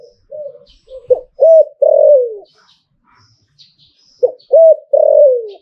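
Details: ['Zebra dove singing in the liu tan style: soft introductory coos, then a short note, hooked coo and long falling coo, the phrase repeated after about three seconds.']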